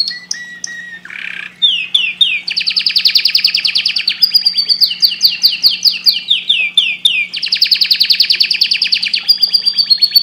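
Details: Canary song for stimulating breeding, opening with scattered chirps and a brief harsh buzz, then long stretches of rapid rolling trills and descending note series that change speed and pitch, with a constant low hum.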